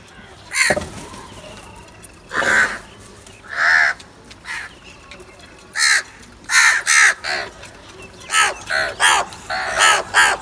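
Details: Crows fighting over food, with many harsh caws from several birds overlapping and sharper short calls crowding together toward the end.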